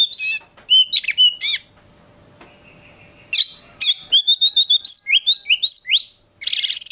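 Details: Oriental magpie-robin, known locally as kacer, kept bird in full varied song: high whistled notes, sharp sweeping chips and rapid repeated rising slurs in bursts, with a steady faint low hum behind.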